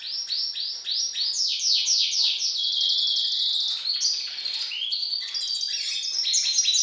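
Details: Hybrid of European goldfinch and hooded siskin singing song variant I: rapid, high twittering song of buzzy, sliding notes and trills, with fast downward-swept chirps and a sustained buzzy stretch midway.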